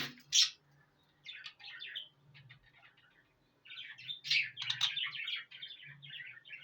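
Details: Pet parrots kept at home calling: a sharp high squawk, then bursts of scratchy, chirping chatter in quick runs with short pauses, and a faint low hum underneath.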